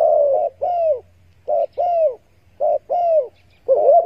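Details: Spotted dove giving soft, hollow coos in quick paired notes, the phrase repeating about every second over a faint low hum; a recording made and used as a caller to attract doves while hunting.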